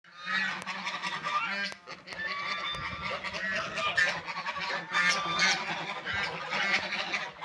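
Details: Several ducks eating food and drinking water give dense, overlapping nasal honking calls with almost no pause, over a steady low hum.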